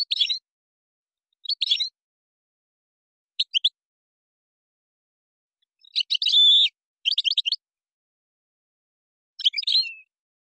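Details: European goldfinch singing Moroccan-style gazarat and srrr bertbertio phrases in separate bursts: scratchy twitters, a sustained buzzy trill near the middle, then more quick chattering notes and a descending final phrase.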